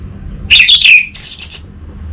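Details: Orange-headed thrush singing two short phrases, a rich descending warble followed by a higher, thinner trilled phrase.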